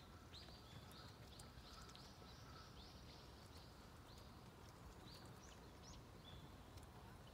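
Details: Domestic duck giving a quick run of high, arching peeps, evenly spaced through the first half, then a few scattered single peeps, over soft background hiss.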